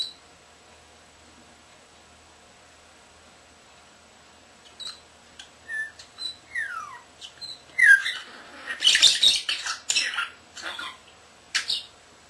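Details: Young male common starling kept as a pet, whistling and mimicking: near silence for four seconds, then clear thin whistles, quick downward-sliding notes and clicks building into a dense chattering burst, ending with scattered squeaks.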